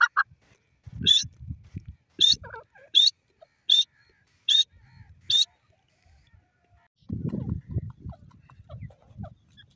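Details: Black francolin, described as a male: a series of six sharp, high, clipped call notes spaced under a second apart, followed by a low rumbling background noise.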